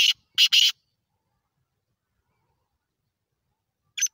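Black francolin giving harsh, rasping, grating notes: three in a quick cluster, then a single note after a three-second silence. Nothing else is heard.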